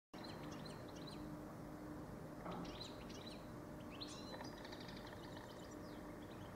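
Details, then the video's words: Goldfinch song: brief, high twittering chirps and quick rising and falling notes scattered through the clip, set against a steady low rumble of background noise. "Goldfinch Best Song Ever"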